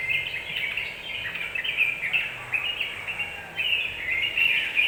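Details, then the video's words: Yellow-vented bulbul in song, used to goad other birds into quick agitation: rapid, chattering, twittering notes run almost without pause at a bright pitch, with steady hiss behind. "Suara pancingan burung trucukan agar cepat emosi"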